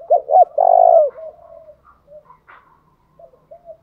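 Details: Spotted dove call to provoke wild doves into singing: a loud phrase opens with two short hooked notes and a long burry coo, then trails into scattered faint coos and a brief click.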